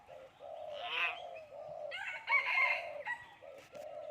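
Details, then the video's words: Common hill myna speaking human language, giving voice-like harmonic syllables in a steady run, with louder, brighter phrases near one and two-and-a-half seconds and a short break between. "common hill myna speaking human language"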